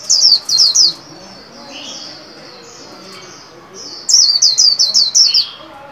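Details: Cage-kept white-eye practising the líu song, new year 2021: a quick trio of shrill downward whistles, quieter twittering for about three seconds, then another fast volley of six high, falling notes.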